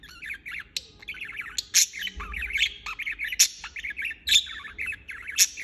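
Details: Budgerigar chirping non-stop: a dense, busy chatter of short warbled notes with sharp, bright clicks breaking in at intervals of roughly a second or two.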